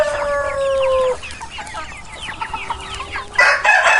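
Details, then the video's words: A rooster's crow opens, a steady harmonic call of about one second that slides slightly downward. Quieter, scattered clucks from chickens follow, then a harsh, loud burst of calling at the close. "Unique sound of crowing cocks and several species of chickens, partridge, rooster, hen, chick sounds"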